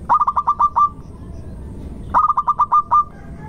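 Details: Local zebra dove in lively song, used as a lure for other birds: two bursts of quick, repeated cooing notes, each run starting fast and stretching into longer notes at its close.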